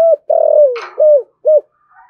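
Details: Spotted dove giving 'thúc gù' urging coos in the 'thổ sấm' style. Deep, steady coos with one long note sliding down at its end. A short burst of hiss sounds midway.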